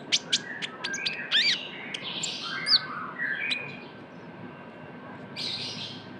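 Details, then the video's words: Lure sound of a young Van Hasselt's sunbird (kolibri ninja): sharp high chips followed by squeaky twittering notes and a short buzzy burst near the end. "PANCINGAN KONIN TROTOL GACOR (KOLIBRI NINJA)"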